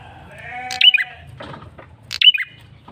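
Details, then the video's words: Male bar-winged prinia lure call, loud and persistent: two quick, shrill, descending bursts about 1.3 seconds apart, preceded by a drawn-out, bleating harmonic sound, with a low rumbling background. "Suara PIKAT prenjak kepala merah jantan GACOR NGOTOT"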